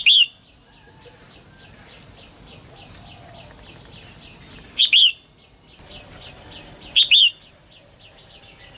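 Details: Female bird calling to prompt males to sing: three sharp two-part chirps, one at the start and two later about two seconds apart, over a continuous soft ticking of distant birds and faint hiss.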